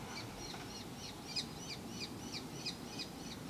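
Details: Young common kestrels calling while parents deliver food, watched from a workshop; a rapid series of thin, downward-slurred high calls repeats about three times a second over steady low background noise.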